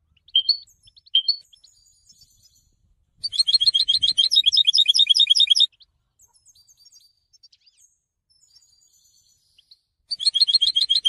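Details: Goldfinch song for education and training: two short sharp chirps, then a two-second burst of rapid high twittering, a quiet gap with faint notes, and the twitter resumes at the end.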